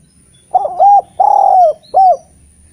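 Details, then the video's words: Eurasian collared dove, a lively frequent singer kept as a master recording to coax reluctant spotted doves into singing, gives one three-part cooing phrase: short coo, long drawn-out coo, then a short closing coo, on a quiet background. "Derkuku gacor cocok untk memancing tekukur bahan yg malas bunyi N menjadi Masteran derkuku terampuh"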